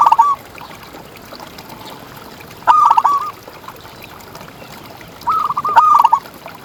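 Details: Local zebra dove from contests, played to provoke and train other doves: three separate short phrases of fast, slightly wavering coos spaced a few seconds apart over quiet background.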